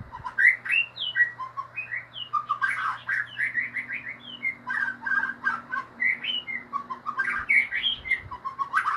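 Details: Constant, energetic ngeriwik song of a white-rumped shama: dense, varied whistled notes and chattering phrases packed back to back for the whole stretch, over a faint low hum.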